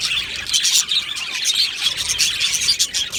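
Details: Colony of Australian budgerigars in an aviary, singing and chirping: dense, overlapping high-pitched chirps and scratchy warbles pour out continuously with no pauses, many birds calling at once.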